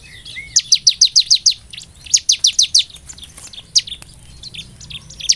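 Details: Bar-winged prinia song played as a lure to make caged birds sing eagerly: a rapid run of seven thin, high, downward-sweeping notes, a pause, then five more, followed by scattered single notes.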